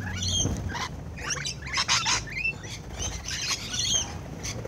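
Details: Close-up of rainbow lorikeets as they feed, with harsh shrieking chatter mixed with rustling and clicking noises and brief squeaky notes throughout.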